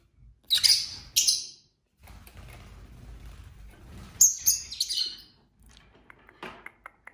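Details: Pet lovebirds in a home flock of several birds, giving harsh, high chirps in short bursts, two loud ones early and a cluster near the middle, with faint low rumbling and scratchy movement sounds between calls.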